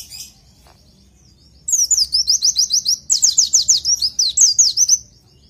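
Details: Tutor song for training oriental white-eyes: after a quiet start, a long run of quick, high, sharply falling slurred notes in two or three tight phrases, with a faint high trill between them.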